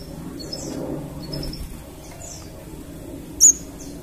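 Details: Crimson sunbird lure sound: scattered faint, thin, high twittering notes, then one loud, sharp, very high chip near the end, over a quiet low rumble.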